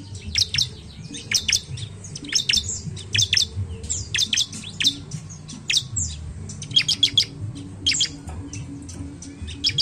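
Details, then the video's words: Bar-winged prinia song played as a lure to get other birds singing: continuous series of sharp, high chirp bursts repeated about every second over a steady low hum. "Pancingan CIBLEK malas bunyi"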